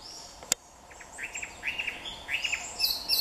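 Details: Chinese hwamei singing at Jike Furusato Village, perched close in plain view: a run of short slurred whistled notes in the middle range, rising into higher clear phrases toward the end, with a sharp click near the start and faint background hiss.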